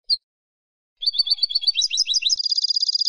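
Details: Goldfinch song of the Spanish type: a single high chirp, then a rapid tinkling phrase of mixed twitters ending in a fast, even, high trill, against complete quiet.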